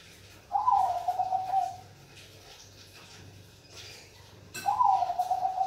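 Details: Zebra dove of the Bangkok type (perkutut Bangkok) singing indoors: two drawn-out, wavering mid-pitched coos, each about a second long and sliding slightly downward, separated by a quiet stretch of low room hum.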